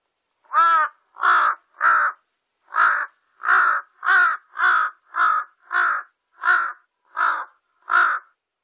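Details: Large-billed crow recorded in 2020 (National Institute of Biological Resources collection), giving about a dozen hoarse, nasal caws, each under half a second, repeated steadily roughly every 0.6 seconds, with no other sounds.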